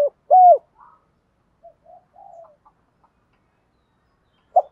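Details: Spotted dove coo in the 'thúc gù' style used to stimulate decoy birds: one loud clear arched coo early on, faint soft murmurs, and a short note near the end.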